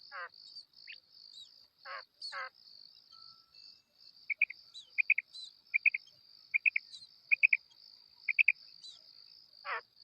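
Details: Female quail calling, a hunting-call recording: a run of short paired notes, sharp and chirpy, repeated roughly every second over a steady high insect whine, with scattered crackling sweeps before and after.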